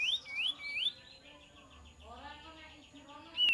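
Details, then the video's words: Kapas tembak lure song opening with three quick rising whistled notes, then a quiet stretch of softer chatter and hiss before another note at the end. "PANCINGAN KAPAS TEMBAK DIJAMIN NYAUT"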